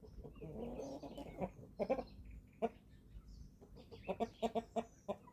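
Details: Flock of eleven-week-old chickens at feeding time on a German family farm: a wavering nasal call at the start, then short sharp clucks, with a rapid run of five or six clucks near the end.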